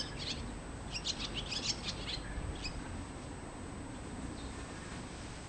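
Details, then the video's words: Swallow calls from a home garden: a short flurry of sharp, high chirps in the first three seconds, then only hissing background noise with a steady high whine. "ツバメの鳴声・Cries of swallow"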